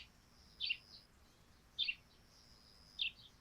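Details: Morning sparrows on a dewy thatched roof give three bright, clipped chirps roughly every 1.2 seconds, with a faint hiss in the background.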